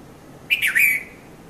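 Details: Red-vented bulbul calling in the morning between 5:30 and 5:40 a.m. at Mount Lavinia, Sri Lanka: a loud, bubbly two-to-three-note phrase, the notes slurring and dropping slightly, against a quiet background.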